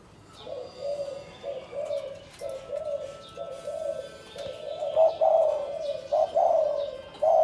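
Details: Caged spotted doves in Cần Thơ, Vietnam, being paired for breeding after days in neighbouring cages; low, soft cooing phrases run almost continuously, rising into stronger, richer coos near the end, with faint high chirps above.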